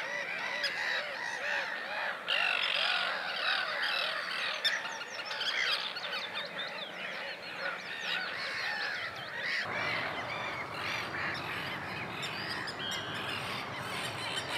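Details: Common tern colony sound from Russia: many overlapping shrill, grating calls forming a continuous chatter, with a change in background noise midway.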